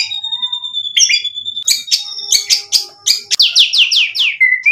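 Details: White-rumped shama singing to provoke a reply, packed with imitated phrases: a steady whistle, then a rapid series of sharp descending chirps and a run of sweeping downward notes ending on a low whistle.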